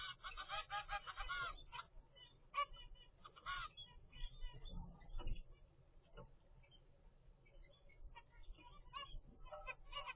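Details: Captive zebra finch chick, 25 days old, from a pair's first clutch raised at home; short nasal honking calls come in quick irregular bursts, some overlapping, over a steady low rumbling hum.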